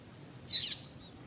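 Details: One brief, high, rasping chirp of a female double-collared seedeater, a call used to make males sing, set against a quiet steady high-pitched hum.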